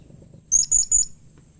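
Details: Three short, very high-pitched notes in quick succession from a blue-crowned hanging parrot, calling so that other hanging parrots respond. Low background hum beneath.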